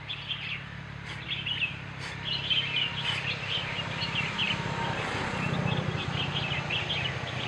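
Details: Himalayan bulbul (white-cheeked bulbul) drinking water in the Margalla Hills, Islamabad, Pakistan; bright high chirps and short twittering notes come in loose clusters over a steady low rumble of traffic and outdoor noise.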